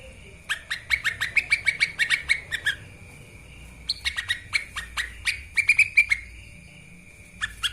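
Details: Lesser green leafbird song for training other birds: quick runs of sharp chirps in two bursts with a gap between, a steady high whine running through.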